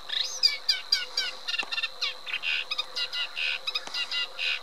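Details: Eurasian reed warbler delivering loud, dense chattering song: harsh rasping and clicking notes in rapid, irregular bursts, several repeated two or three times, with no other clear sounds.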